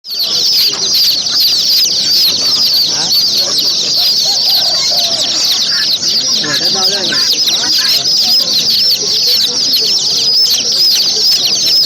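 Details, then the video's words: A brood of chicks peeps nonstop, many high, thin cheeps overlapping into a dense, shrill chatter with no pauses. "chicks sound"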